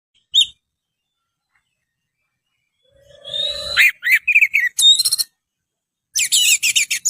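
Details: Oriental magpie-robin (kacer) singing in a lively, energetic style: brief high note, then bursts of sharp whistled and rattling phrases at varied pitches separated by pauses, ending in a fast buzzy trill.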